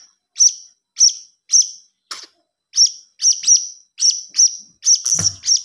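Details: Blue-crowned hanging parrot chick calling with evenly spaced, sharp high chirps about every half second, some doubled, ending in a brief louder rush of notes; lure sound.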